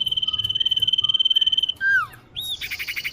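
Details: Common iora lure sound for attracting birds: a long level whistle held nearly two seconds, followed by falling slurred notes and a rapid rattling trill.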